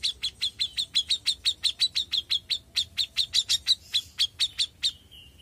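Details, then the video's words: Young grey-cheeked bulbul calling persistently: a regular series of about twenty-five clipped, high chirps, a few louder near the end, closing with a soft, drawn-out whistle. "CUCAK JENGGOT MUDA GACOR"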